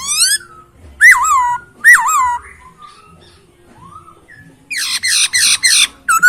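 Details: Clear, rich isian song from a masked laughingthrush: rising whistle, two loud swooping notes falling then rising, soft slurred notes, then a harsh buzzy burst of four rasping notes.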